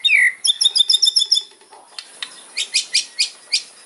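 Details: White-rumped shama in fighting song: one loud falling whistle, a fast run of high ticking notes, then a series of short sharp buzzy chips.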